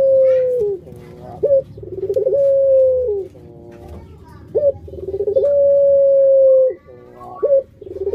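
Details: Puter dove, a hobby cage bird, cooing pelung-fashion: repeated cycles of a quick upward yelp, a trilled rolling phrase and a long flat tone dropping at the end, with quieter gaps between.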